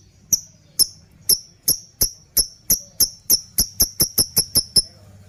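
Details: Repeated lovebird call used to train other birds, ngekekekeke: about fifteen sharp, very high chirps that speed up steadily from half-second gaps to a quick rattling sequence, then stop.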